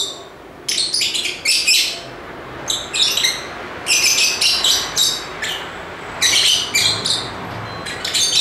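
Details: Busy lovebird calling: repeated clusters of shrill, buzzy chirps, roughly one cluster every second, with a faint steady hum beneath.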